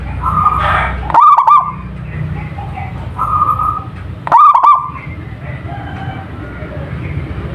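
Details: Singing local zebra dove whose song is meant to entice other doves to call: short level tones and two loud stuttering coo bursts ending in a sustained note, with low background hum throughout.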